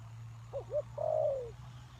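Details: A single spotted dove phrase from a bird used to lure wild doves: two short soft notes, then a long descending coo. A steady low hum runs underneath.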